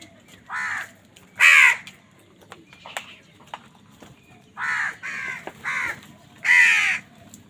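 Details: Crows cawing while fighting over food: harsh, loud caws in two bursts, two calls near the start, then a quick series of four from the fifth second, with quieter chatter between.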